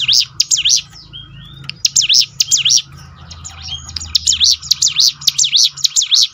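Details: Song of a bar-winged prinia, meant to coax birds into singing more often: bursts of quick, piercing chirps that swoop down and up, broken by a short quieter pause with soft whistles before the rapid series returns.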